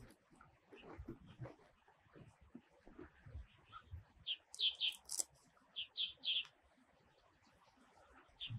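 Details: Red-bellied thrush, a winter migrant in Taiwan, gives sharp high double chips in a burst of about six notes, with a brief higher squeak among them, over continuous low rustling and background noise.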